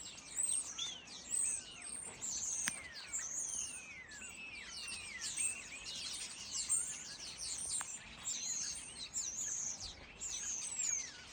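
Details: A noisy flock of starlings in a fir tree chatters without pause, a dense tangle of slurred whistles, rising and falling squeals and clicks, many birds calling at once.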